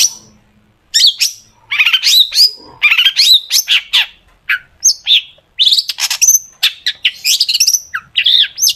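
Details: Lively long-tailed shrike song with sharp, fast phrases, meant as a lure to set shrikes singing: a varied run of rising and falling whistles, squeaky slurs and short chirps in uneven bursts after a quiet opening second.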